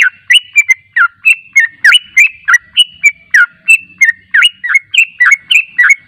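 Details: Lively yellow-vented bulbul song, a lure to get birds replying: rapid, uneven chirping of sweeping whistled notes, around three per second, bright and bubbly throughout.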